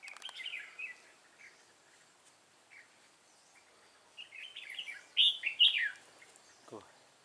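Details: Red-whiskered bulbul in a Vietnamese fighting trap: scattered chirps at first, then a loud cluster of bright, slurred whistles rising and falling, ending with a brief descending sweep.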